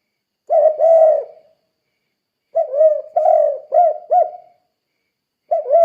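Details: Gacor 'kuk 2' spotted dove song used as a training model for other doves. A short double coo, a pause, then a longer phrase of a level coo and two bouncing arched notes, then another coo starts.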